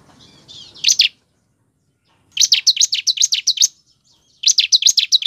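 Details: Bar-winged Prinia, recorded as a lure to prompt other prinias to sing, gives bursts of sharp, high chirping notes, about eight quick notes per burst, with short pauses between bursts; faint rustling noise at the start.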